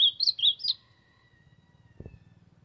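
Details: Warming-up song of an Ultramarine grosbeak: a quick run of about five bright, slurred high notes, then quiet with a steady low hum and one dull thump.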